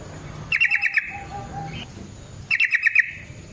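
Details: Yellow-vented bulbul in fighting mode, used as a lure for other bulbuls: two rapid clicking trills about two seconds apart, with faint lower whistles between them over a soft background hum.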